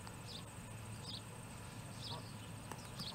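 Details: Osprey chick at a nest in Charlo, Montana, on 21 August 2017, calling for fish before an adult brings one in: faint, high, short chirped notes repeated about once a second over steady low rumble and wind.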